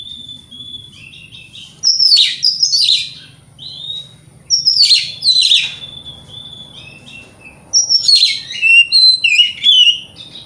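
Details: White-rumped shama song used as a lure to provoke other shamas: bursts of loud, varied whistles and harsh buzzy notes, interspersed with softer drawn-out whistles, with a faint low hum beneath.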